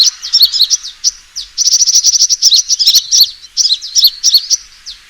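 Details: High, rapid chipping from a sunbird's fighting call used as a lure, with staccato trills and sharp down-slurred notes in quick succession.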